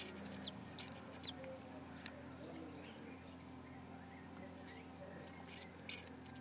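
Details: Four six-day-old lesser kestrel chicks in a rooftop nest at a school in Alona, with an unhatched egg, give two rasping squeals, then near silence for about four seconds, then two more squeals.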